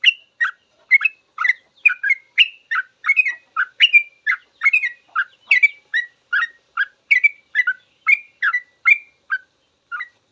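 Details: Training recording of sooty-headed bulbul 'ropel' song for caged birds: an unbroken, brisk sequence of some two dozen chirping, slurred whistles at about two to three per second, varying between low and high tones.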